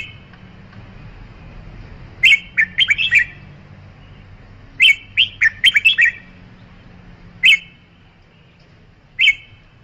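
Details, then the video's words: Red-whiskered bulbul with lively, warbling phrases of rapid chirped whistles, two longer bursts followed by single short notes spaced a couple of seconds apart, against a low steady hum. "Tiếng chim chào mào"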